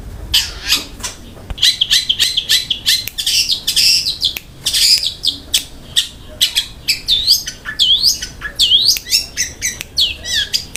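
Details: Long-tailed shrike in busy gacor song, rapid-fire high notes and chips, then looping whistled upslurs and downslurs in the second half, a speedy rolling kasaran and tembakan fill.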